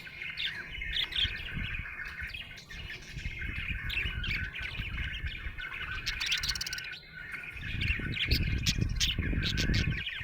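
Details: Cheerful budgerigar chatter, rapid twittering and chirping notes in an irregular stream, over heavy low-pitched rumbling noise that grows louder toward the end.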